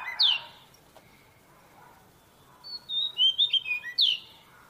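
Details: Seychelles magpie-robin (Copsychus sechellarum) song: clear, high whistled phrases, a sharp descending slur, a pause, then a quick run of short warbled whistles and another down-slurred note.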